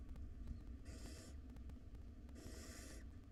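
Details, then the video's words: Two drawn-out, breathy hissing screeches from wild barn owl nestlings at feeding time in a nest box, about one and a half seconds apart, over constant low rumble and ticking. "Dinner time for 5 hungry barn owl nestlings."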